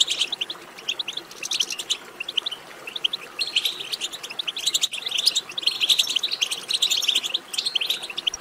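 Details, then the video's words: European goldfinch twittering song, played to stimulate other goldfinches to sing: dense bursts of high, tinkling chirps and buzzy trills run almost without pause, swelling louder in the second half over faint steady background hiss. "بتبتة ماهرة في تحفيز الحسون على التغريد"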